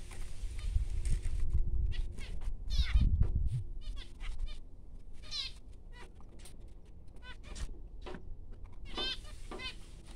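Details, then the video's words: Newborn finch chicks giving bursts of high, raspy, rapidly repeated chirps, several calls each second in irregular clusters, over a steady low rumble and faint handling noise. "Newborn baby finches"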